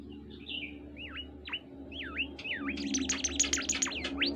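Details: Oriental white-eye song: repeated swooping, V-shaped whistles that speed into a dense, jumbled high warble, with a low hum underneath.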